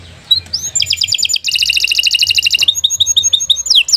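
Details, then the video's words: Canary serving as a master tutor bird, opening with a rising whistle, then rapid rattling trills and a dense buzzy roll, closing with repeated short chirps. "Kicau Burung Kenari II GACOR PANJANG Cocok untuk Masteran"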